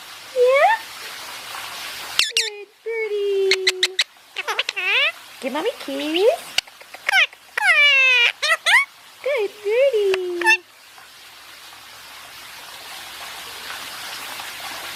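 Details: Pet Indian ringneck parakeet talking while basking: a dense stretch of varied vocalizations, including low drawn notes, rapid clicks and rising and falling squawks, mixed with a woman's speech, then quiet.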